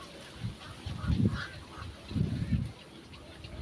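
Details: A black heron protecting its small, just-hatched chicks gives two deep, guttural croaking bursts, each about half a second long and roughly a second apart, over a faint background hiss.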